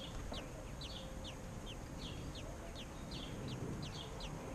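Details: American robin parents feeding their chicks; thin, high, quickly descending notes repeat in a rapid irregular series over a steady low background hum.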